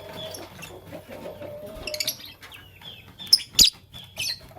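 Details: Fischer's and masked lovebirds in the morning, a few sharp piercing chirps bunched in the second half after a quieter stretch of low murmuring background sound.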